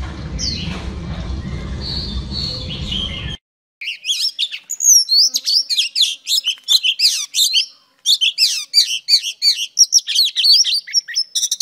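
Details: Female oriental magpie-robin song to stimulate males: a noisy opening with a few whistles, then silence and rapid chattering series of sharp down-slurred notes in quick repeated bursts.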